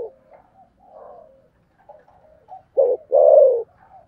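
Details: Spotted dove with a thổ sấm voice, thúc gù style. Soft, low murmured coos build to one strong phrase at the end: a short note, then a long, falling coo.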